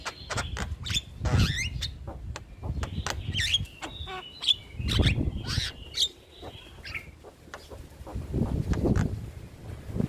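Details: Starling song used as a training recording for young or lazy starlings, played regularly to make them sing often: varied sharp chirps, whistles and buzzy notes, with a steady low rumbling background noise.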